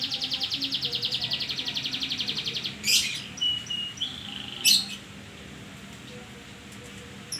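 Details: Canary singing as a lure for a lazy bird: a long, even, rapid high trill for nearly three seconds, then a few sharp chips and brief whistles before near quiet.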